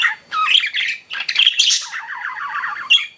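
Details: Pet budgerigars chirping indoors: busy, buzzy warbling and squawky chatter with rapid, wavering notes, a run of quick undulating chirps near the end, and sharp high calls breaking through.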